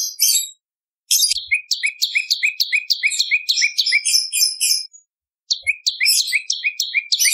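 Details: Bar-winged prinia (Prinia familiaris) song: a fast, energetic run of high, sharp chirps, about three notes a second, in two bursts separated by a brief pause.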